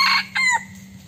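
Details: Rooster, a flock leader, crowing: a loud harsh opening note followed by a shorter second syllable, with a steady low electrical hum underneath.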